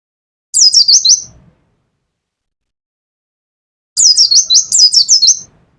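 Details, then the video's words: A Pacitan mountain white-eye in a cage, doing nembak singing: a brisk run of piercing high chirps, silence for about two seconds, then a longer, faster phrase of repeated downward-sweeping notes. "pleci pacitan nembak nembak pleci dakun"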